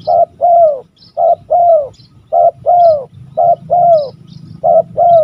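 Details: Spotted dove, an old bird, cooing steadily: five loud double phrases, a brief note then a drawn-out, slightly falling mellow coo, repeating roughly every second with steady rhythm, faint low rumble behind.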